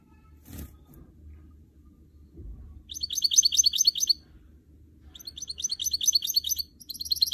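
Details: A canary x goldfinch hybrid (goldfinch mule) in training sings bursts of fast, bright, jingling twitters, high-pitched and tumbling, in three runs, after a couple of soft thumps.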